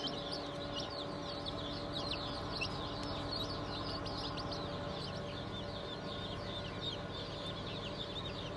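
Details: Group of newly hatched chicks, a 20 June 2023 hatch of Cream Legbar, Sussex, Sultan and Fizan breeds, giving a dense, continuous chorus of thin, high peeps over a constant mechanical hum.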